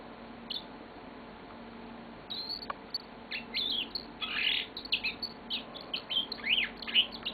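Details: Pet yellow-fronted canary singing indoors: quiet at first, then a rapid run of high chirps, trills and short rising and falling whistles that grows louder toward the end.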